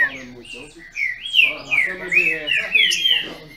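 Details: A green-winged saltator (trinca-ferro), captive in Brazil, in a singing duel: a continuous string of whistled, wavering notes near mid-pitch, with a low human voice underneath.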